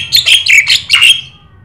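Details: Brief burst of lively 'gacor' singing from a Javan myna (jalak sungu): five quick grating, metallic notes in about one second, then silence over a faint low hum.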